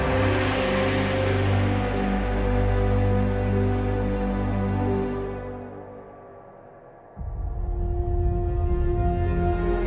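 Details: Soft ambient music with sustained tones that fade, then a lower rumbling section, and no animal voice.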